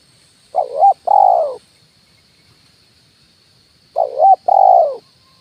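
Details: Spotted dove "kuk 1" lure call for attracting wild doves to branches and ground: two low cooing phrases about three seconds apart, each a brief quavering note then a longer falling one, with a constant faint high insect drone.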